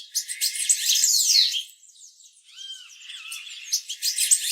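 Purple-throated euphonia calls: a busy run of high, thin chirps and twitters, with a few short whistled slurs in a brief lull.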